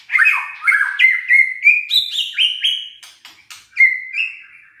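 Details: White-rumped shama song played as a lure to stir lazy, quiet shamas into singing: loud clear whistled phrases, each a slurred note sliding up or down, repeated rapidly in a steady rolling series with short gaps, no other sounds.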